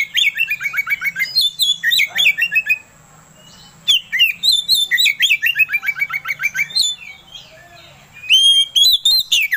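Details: Oriental magpie-robin song used to provoke another bird into singing: rapid bright chattering and slurred whistles, fast repeated descending notes in bursts, with a steady high electronic tone throughout.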